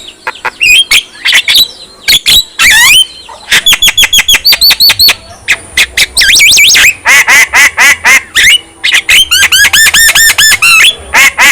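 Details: Javan myna singing a long, varied run: rapid harsh chatter, squeaky rising whistles and dense rattling bursts of repeated notes. The song is used to make other mynas sing and become agitated.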